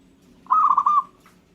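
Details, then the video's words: Local zebra dove singing, a single low cooing phrase of rapid trilled notes lasting about half a second, ending in one brief softer note; quiet background with faint low hum. "Gara-gara Perkutut lokal ini, burung lain Langsung Nyaut dan Ngayer"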